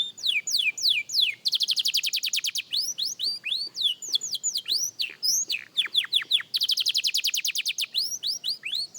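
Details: Singing practice by a young canary: quick series of descending whistles, a loud rolling trill, varied up- and down-slurred notes, then another rapid trill and more falling whistles, clear and continuous.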